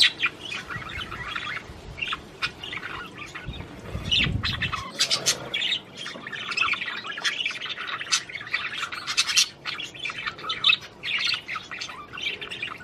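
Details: Budgerigar warbling to stimulate a female to mate, a long scratchy chattering stream of quick squawks, clicks and chirps, with a low rumbling thump near the middle.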